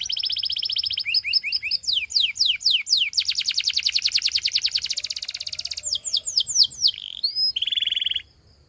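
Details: Canary in full practice song for training: a long sequence of buzzy trills, downswept whistles and a dense rattling tour, closing with a short level trill and sudden silence.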